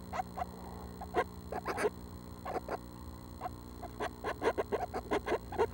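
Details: Seven Northern Flicker nestlings, due to fledge within a week, call from the nest at 6 am on June 12: scattered short raspy bursts in uneven clusters over a steady low electrical hum.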